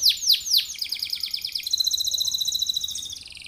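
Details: Canary song played to coax other canaries into singing: three loud arched sweeps open, giving way to quick stuttering notes and a long thin, even high trill.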